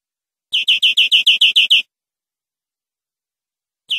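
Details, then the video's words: Tutor song for teaching captive greenfinches: a brisk run of nine high, clipped notes, a long silence, then the start of another note, on a clean recording. "Nuevo CD limpio para educar verderones"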